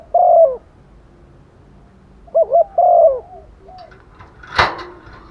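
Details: A female spotted dove calls to males during the rainy season, repeating a long croo and a phrase of quavering double coos that slides downward. A sharp knock near the end.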